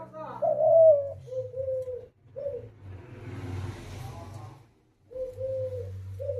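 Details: Hunter's dove (shikari ghughu) cooing: a louder rising-falling first coo, then flat mid-pitched coos in short phrases, broken by a burst of rustling noise and a steady low hum.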